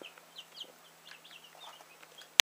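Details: A brood of many little chicks gives soft, high, brief cheeps in an irregular patter, overlapping one another, ending with one sudden sharp knock.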